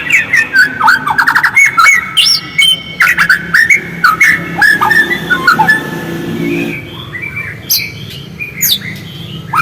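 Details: White-rumped shama song used as a lure to set other shamas singing actively: rich, varied whistled phrases with quick slurred notes and sharp chips, bursts tumbling over each other, then sparser high notes after a pause, over a steady low hum.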